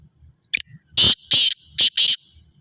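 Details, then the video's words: A black francolin (kala teetar) gives a quick run of five harsh, grating notes: a brief, thin first note, then four loud, rasping, scratchy bursts over about a second and a half. "black teetar voice"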